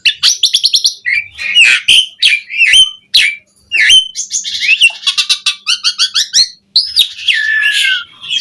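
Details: Asian pied starling song used to train caged birds: rapid harsh chattering, squawks and whistled slurs in dense runs, a brief silence, then a buzzy note and a long falling whistle.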